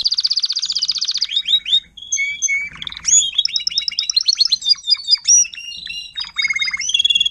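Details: Adult Timbrado canary tutor singing to teach young canaries, recorded 2021: fast rolling trills of rapid repeated notes, switching between high and mid-pitched phrases, with short whistled slides and metallic clicks in a continuous stream.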